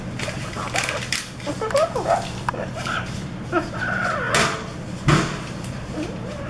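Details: Coco, a parrot that likes to imitate sounds, mimics in short, speech-like phrases with gliding, wavering tones, broken by sharp clicks and knocks over a steady room hum.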